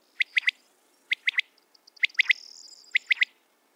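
A corn crake gives dry, rasping notes in quick bursts of three, about one burst per second, with a faint thin whistle behind.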